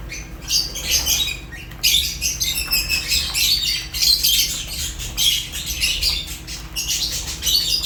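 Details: High, grating chirps of Fischer's lovebirds sound in quick, choppy series, rising and falling in loudness almost without pause through the whole stretch.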